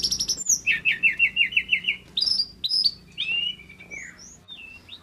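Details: Singing male pygmy cupwing: a fast series of about eight even chirped notes, followed by sharp high whistles and a long slurred descending note, with soft low hum behind.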